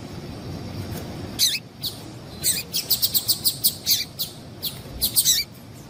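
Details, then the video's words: A female double-collared seedeater gives calls that prompt males to sing. A few separate high chips lead into a fast, even series of about ten bright, thin notes, then two closing chips. "Esse Piado de Fêmea de Papa capim é Seu Papa capim Vai Ficar Cantando RÁPIDO!!!"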